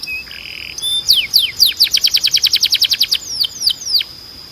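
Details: Canary song used for training young canaries: a few short whistled notes, then a fast trill of steeply falling high sweeps repeated several times a second, slowing into longer downslurs, over a steady faint hiss.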